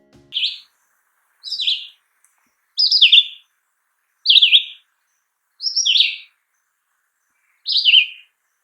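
Red-eyed Vireo singing short, slurred whistled phrases, each rising then dropping, spaced about one to two seconds apart with pauses between.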